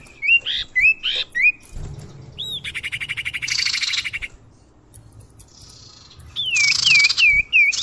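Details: Common iora call used as a bird lure: quick rising whistles, a dry pulsed rattle, then a string of descending whistled slurs.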